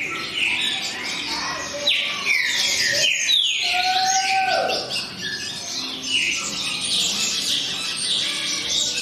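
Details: Green-winged saltator delivering fast, loud whistled phrases; rapid falling slurs and a long level whistle sliding down, over a busy background of other chirps.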